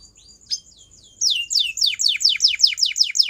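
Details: Belgian canary song for training canaries: after soft short chirps, a run of loud, sharply falling notes repeats about three times per second.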